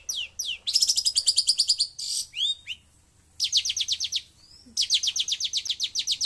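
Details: Long-tailed shrike (cendet) lure call for attracting birds: fast, high, harsh trilled bursts of rapidly repeated notes, with a few downslurred whistles between them.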